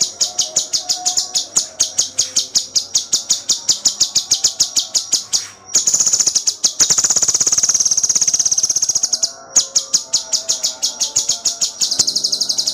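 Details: Cucak cungkok in full, dense song meant as a tutor recording for songbirds: rapid, high, sharp chirps repeated several times a second in long runs, breaking into a continuous buzzy trill midway, then resuming the quick chirping.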